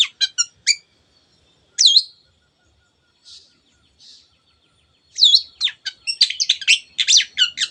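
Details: Long-tailed shrike in song used to excite other birds into singing: a few sharp chirps, a loud looping whistle, soft quiet notes, then a rapid outburst of mixed whistles and chatter.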